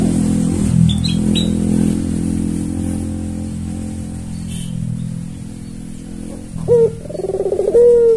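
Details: Tame white albino Barbary dove with red eyes, a steady caller kept as a lure and tutor for lazy doves. Low humming background and a few faint high chirps from another bird, then a rolling, pulsed coo ending in a smooth held note.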